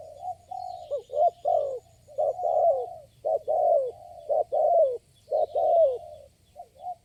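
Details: One responsive wild spotted dove answering a lure bird, giving loud, rhythmic coos in quick, uneven groups with brief gaps, over low background noise.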